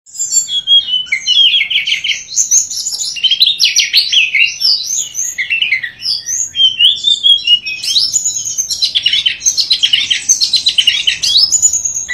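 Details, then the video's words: A Tledekan (sulingan) songbird, a mimic of other birds' notes, sings a nonstop, rapid warbling song of high, varied twitters, trills and whistled phrases, pouring out without pause; no other sounds are heard. "Burung Tledekan Gacor Suara Nyuling Muntahin Isian"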